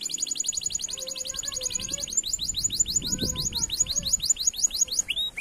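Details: Canary singing as a lure recording meant to set other canaries singing: a long, rapid, high rattling trill of repeated notes, then a faster section, with faint lower whistles and background murmur.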